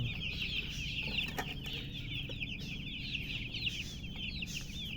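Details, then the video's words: Newly hatched chicken chicks peeping loudly as a chorus: many overlapping high, short, rising-falling chirps, dense and continuous, over a steady low hum. "Tot Murgi chicks chirping sounds Just Born Baby Gallina FRACAS Chicks Piar Loudly Sound"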